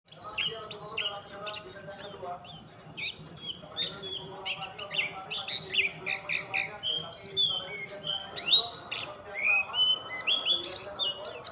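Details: Oriental white-eye song: a busy, rapid stream of high chirps, whistled slurs and short trills, notes tumbling one after another without pause, with faint voices and low background hum underneath.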